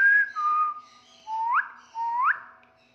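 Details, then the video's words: Grey parrots whistle in a quiet room: a short falling note, then two clear whistles that swoop sharply upward, each about half a second long. "African Grey parrots"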